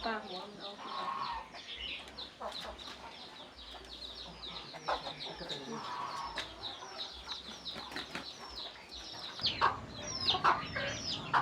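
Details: Mother hen giving a rapid 'kuk kuk' food call to bring her chicks to eat, short clucks in clusters, mixed with high, thin downward peeps from chicks throughout and a busy farmyard background.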